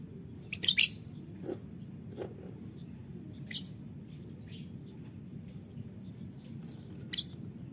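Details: Morning calls from a violet green lovebird: a rapid group of three piercing, high chirps, followed by a few softer scattered notes and a final sharp chirp, with a constant low background hum.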